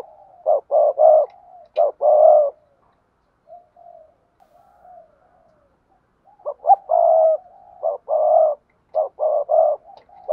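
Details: Low hollow coos of a spotted dove, 'gáy thúc gù' and 'gáy gọi' style, in two bursts of rapid notes separated by a few seconds of quiet, soft murmuring.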